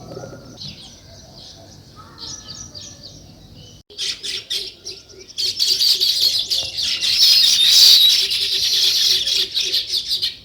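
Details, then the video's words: Sparrows, named as weaver birds, chirping in the open. A few soft, scattered chirps start things off, then a sudden loud, dense chorus of high twittering from many birds fills the second half. "Natural Sparrow Chirping Sounds |Weaver Birds"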